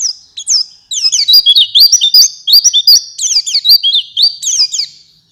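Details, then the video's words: Night-and-morning training recording of a white-eye: energetic high-pitched warbling twitter of rapid swooping whistles and chips, with only one brief break early on, continuing steadily for over five seconds. "Masteran pleci, cocok untuk malam dan pagi, langsung nyaut"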